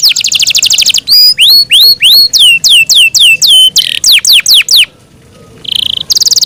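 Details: Yorkshire canary song with a quick trill, then clear rising and falling whistled slurs repeated about four per second, a short pause, a buzzy note and a returning trill.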